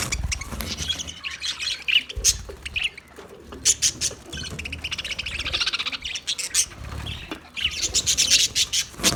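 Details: Budgerigars in an aviary warble and chirp in bright, rapid bursts, with scratchy high trills and squawks rising and falling over a faint low hum.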